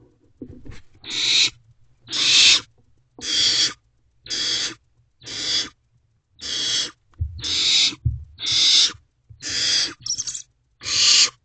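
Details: Wild owlets in a nest box at 2:26 am on 28 May 2023 give harsh, breathy hisses, about ten bursts in eleven seconds, each roughly half a second long and evenly spaced, with soft low rumbling between them.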